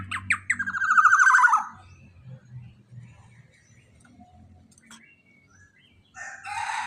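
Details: Black-naped oriole lure call: brief sharp notes and a nasal, descending buzzy slur in the first two seconds, then quiet low rumbling and a burst of broadband noise near the end.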